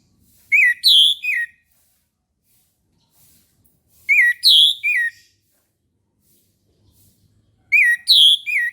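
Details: Orange-headed thrush singing in the morning: three identical phrases, each of three loud, ringing, swooping whistles, repeated roughly every three and a half seconds, with near silence between.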